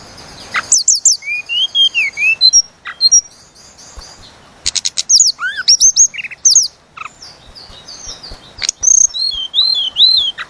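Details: Javan cochoa in full, long rolling song used as a lure for other songbirds: high whistled notes and rapid rising and falling sweeps, some slurred lower phrases, broken by short pauses.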